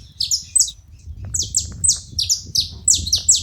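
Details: Several saffron finches together: rapid high chips sliding downward, some overlapping or paired, in short bursts separated by a brief gap, over a steady low rumble.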